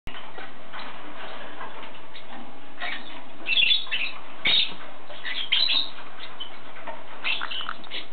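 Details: Yellow-sided conure giving short, scratchy chirps in scattered bursts, strongest around the middle and near the end, over a constant hiss.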